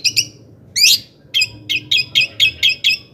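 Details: Long-tailed shrike singing as a lure for other shrikes: two short chips, a harsh upswept note, then a steady series of eight clipped, high repeated notes about a quarter second apart.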